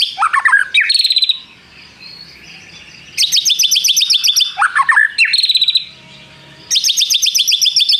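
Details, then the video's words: White-rumped shama song alternating swooping, falling whistled phrases with long, very rapid buzzing trills, each trill lasting over a second, separated by short quiet gaps. "MURAI BATU GACOR ISIAN nembak prenjak tirrr panjang2"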